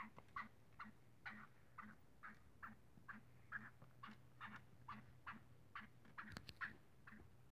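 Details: Playful black francolin (kala teetar) repeating short clucks at an uneven pace of a little over two per second, each with a low undertone, plus a steady low hum and one sharp click near the end.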